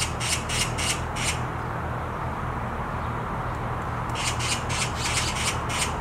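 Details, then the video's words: Black magpie screaming from a tree branch: a quick run of four harsh, rasping notes, a pause of about three seconds, then another rapid burst of grating screams over a steady low hum. "Black Magpie Screams on a Tree branch"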